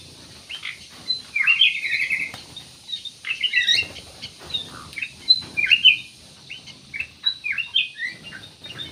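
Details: Kutilang emas in full, steady song, played as a lure to get other birds singing: lively chattering phrases of squeaky, slurred high notes follow one another in uneven bursts about every two seconds, over a soft background hiss.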